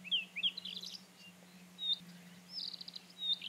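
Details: Rufous-tailed scrub robin song in brief bursts: sharp downslurred whistles, then thin sliding notes and a high drawn-out whistle, with a low continuous hum beneath.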